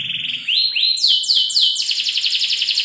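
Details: Canary singing a local-style song for training other birds: a trill, rising whistled slides, downward sweeps, then a fast pulsing roll.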